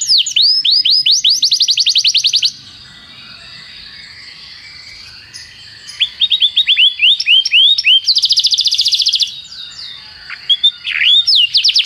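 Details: Canary song intended as a tutor for training canaries: bursts of fast whistled trills and swooping notes separated by quieter pauses with soft background hiss, the rolls returning several times.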